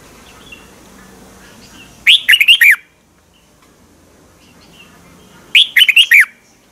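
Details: Song of a Red-whiskered bulbul from Thailand, played to rouse caged birds: two loud, sweet, rollicking phrases of four or five fast whistled notes each, separated by three seconds of near quiet.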